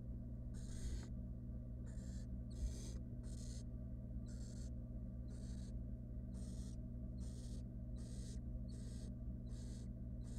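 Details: Rapid hissing begging from wild barn owl chicks as the female feeds them a rodent in a research nest box, about thirteen rasping bursts, some close together, over steady low hum.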